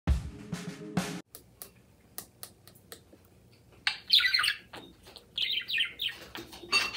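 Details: A parakeet, described as happy, gives bursts of scratchy, high chirps and chatter, with a few sharp clicks and taps in the background.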